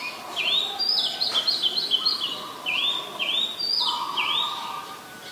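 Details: Oriental magpie-robin, a very common resident, recorded at Ubon Ratchathani, Thailand, on 20 March 2022; clear whistled notes, rising and sliding, repeated in a phrase series, with a steady lower tone and faint background hiss.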